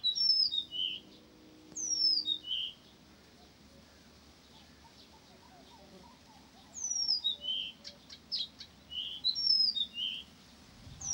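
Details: Blyth's reed warbler singing in Pavlodar: two bursts of high, clear whistled notes with sharp downward slurs and quick repeated phrases, separated by a pause of about four seconds, over a faint low hum.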